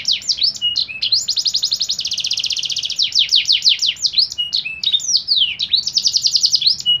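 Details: Canary song played as training material for caged birds: sweeping high whistles alternating with long rapid rolling trills and quick downward-slurred note series, continuous and energetic, over a faint low hum.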